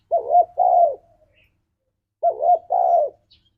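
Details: Tekukur, the spotted dove, singing in the ngalas style for use as a lure for pet doves: two identical phrases, each a quick wavering double coo followed by a longer, smooth, falling coo, about two seconds apart.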